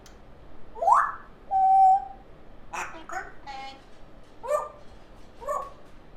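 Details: Female African grey parrot chick mixing talk with funny sounds: a rising squeak, a long flat whistled tone, then a run of raspy, voice-like syllables.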